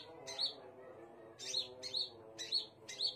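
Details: Scarlet minivet giving five high, piercing notes with quick upward sweeps, spaced about half a second apart after an opening pause, over a faint low background drone.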